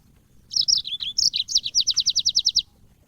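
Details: High sweet warbling from a yellow-fronted canary in cage-bird training audio, opening with tumbling slurred whistles and ending in a trill of about twelve crisp, evenly spaced rising notes.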